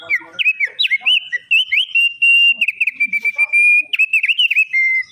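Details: Black-winged starling singing vigorously: bouncing whistled loops, long level whistles and rapid wavering notes in a continuous phrase, with faint lower chirps underneath.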